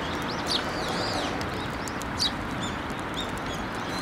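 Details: Sparrows approaching to be fed at a Tenmangu shrine on 15 December 2023, giving two short, high, sharp chirps about two seconds apart over steady broadband background noise.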